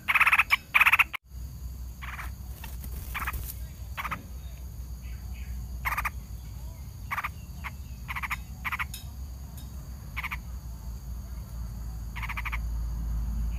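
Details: A parent Yellow-vented Bulbul protecting its young from a snake attack gives harsh, chattering alarm notes, short scolding bursts repeated irregularly about once a second, over a low steady background rumble.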